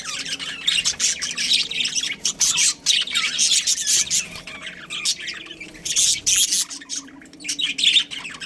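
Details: Pet budgerigars, a breeding pair, keeping up busy warbling chatter of high, raspy chirps and squeaks with short pauses between bursts.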